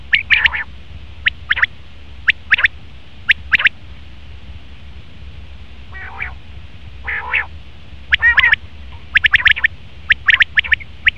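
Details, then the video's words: Male common quail producing clipped, sharp notes in pairs and triplets, with a few lower buzzy harmonic calls in the middle and a dense burst of notes late. "Best Common Quail Male sound/Nar batir ki awaz"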